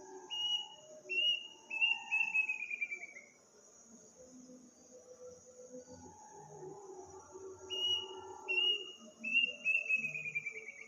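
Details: Strange midnight call of an unidentified village bird on the eve of Eid: two bouts of high whistles about seven seconds apart, each speeding up into a quavering, falling trill, against a continuous insect drone and faint low rumbles.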